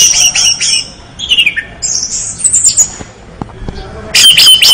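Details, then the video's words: Orange-headed thrush singing energetically: high sharp notes, thin descending whistles and a closing burst of loud, shrill, scratchy phrasing. "5 detik anis merah gacor"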